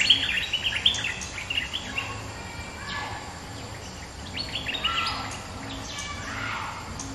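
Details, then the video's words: Bulbul, a resident bird responding to a rival, gives lively chattering phrases of quick high chirps and brief slurred whistles, clustered at the start and again later, with a constant low hum underneath. "เสียงนกดอกแตงEp.209 ถูกคู่ เจ้าถิ่นริก!!กระจายเลย Suara pikat merbah lekir gacor"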